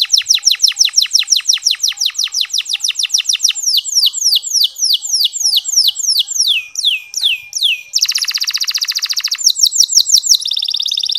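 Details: Canary delivering a long clear chirping song to encourage quiet male canaries to sing: a series of high, sweeping downslurred whistles slowing gradually, then a dense buzzy rattle and a final trilled phrase.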